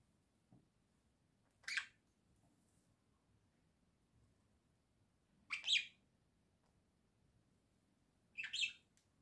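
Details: Pet budgerigars from a small home flock, singing, October 2024: three short, sharp chirps spaced a few seconds apart against a quiet room background.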